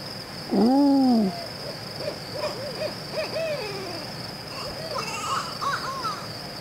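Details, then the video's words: Barred owl giving a loud, drawn-out descending hoot, followed by a run of quieter wavering cackles and hoots, with a steady insect drone throughout. "Barred Owl"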